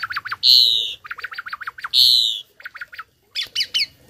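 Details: Tame Asian pied starling singing a tutor song for other birds: rapid bursts of short rising chirps between two long loud drawn-out squawking notes, ending with a few sharp bright whistled notes.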